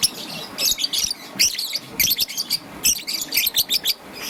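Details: Morning chirping from a young green-and-yellow peach-faced lovebird: steady series of shrill, high, scratchy chirps in short clustered bursts about every half second, with a soft low hum behind.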